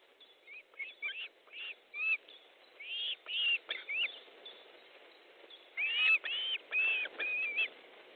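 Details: Rapid run of piercing whistled calls from an osprey at its nest in Estonia, 14 July 2014, 12:50, as fish is delivered; notes come in uneven bursts with a short pause mid-series.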